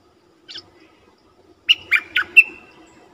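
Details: Streak-eared bulbul lure call used for decoy trapping: one faint short note, then a pause and four loud, harsh chattering notes in quick succession, the last trailing into a thin whistle, over a low steady background hum.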